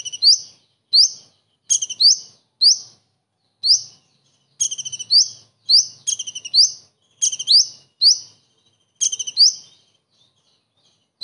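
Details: Common iora singing a kingfisher imitation with its typical bursts: sharp upward-sweeping high whistles alternate with fast stuttering chatter bursts, about a dozen phrases in quick, uneven succession against a quiet background.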